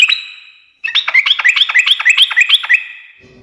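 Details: Sooty-headed bulbul singing nonstop ngekek chatter, said to set other birds answering. A long, steady whistle is followed by a fast, bubbling run of about three to four sharp, downward-flicking notes per second.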